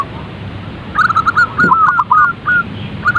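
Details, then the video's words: Zebra dove call meant to get a bird singing quickly: a rapid, rippling sequence of short cooing notes that rise and dip, delivered in a chattering run for about two seconds, with faint clicks in the background. "Panggilan suara perkutut agar cepat bunyi & gacor | zebra dove calls bird"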